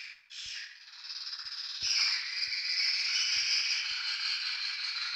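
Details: Swiftlets recorded in Tambunan: after a quiet start, a dense, continuous high twittering chatter builds and holds steady, with a few faint low knocks beneath.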